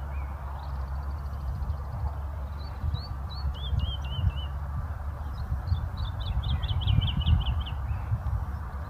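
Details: Small bird chirping outdoors. Scattered high, downslurred chips are followed by a quick run of about ten sharp repeated notes, all over a loud, continuous low rumble of traffic noise.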